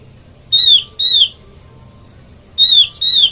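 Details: Oriental white-eye calling as a trapping lure: two pairs of high, clear downslurred whistles, each pair given quickly, separated by a short pause.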